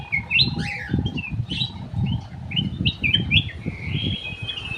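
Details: Ruby-throated bulbul (cucak emas) in an aviary, recorded as a lure song: a busy run of bright whistled notes with swooping slurs, partly masked by constant low rumbling background noise.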